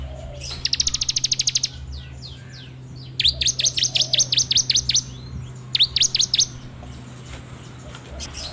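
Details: Song of a bar-winged prinia, taped with an Android phone for training songbirds: a short rattle of high ticks, a pause, then a row of sharp falling whistled notes and a later brief group of similar notes.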